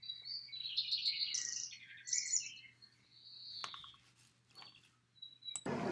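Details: On the way to Kananaskis, Alberta, Canada, a Lincoln's sparrow sings a bubbly, rapid jumble of high, wren-like trills for about three seconds, then a thin sliding note, with a low hum and rustling at the end.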